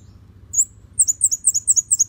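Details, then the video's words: Red-headed bunting, a tutor recording for cage birds: one isolated high chirp, then a rapid series of bright, slurred high notes over a faint low hum. "Suara Kemade Kepala Merah"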